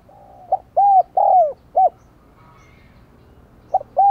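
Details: Spotted dove used as a decoy to excite wild doves, delivering a full phrase of short hoots, two sustained falling coos and a clipped final note, then starting the next phrase after a pause.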